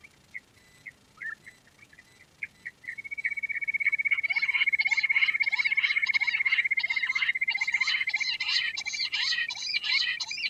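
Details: A queen quail calls: a few scattered high chirps, then a steady high whistle-like tone under rapid, scratchy chirps repeated about four times a second.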